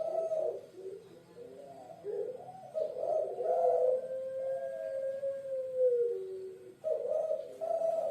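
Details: Cooing puter pelung dove from the island of Java, Indonesia: hoarse, throaty phrases leading into a long smooth note that slowly descends, then rougher coos return at the end; calm indoor setting.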